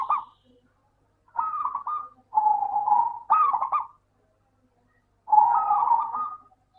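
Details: Local zebra dove singing as a lure to make lazy doves call: several rolling, stuttering coo phrases in quick succession, some with a drawn steady opening note, followed by a pause and one more phrase.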